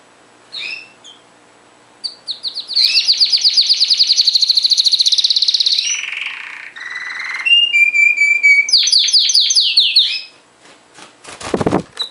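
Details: Canary in full song: a long fast trill, low buzzy rolls, steady whistled tones and rapid descending notes, ending with a few clicks and a low thump.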